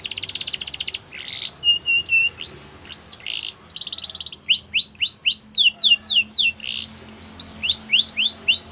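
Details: Belgian canary training song: a buzzy rattling trill opens, followed by flat whistled chirps, then rapid runs of downslurred whistles repeated in rolling series.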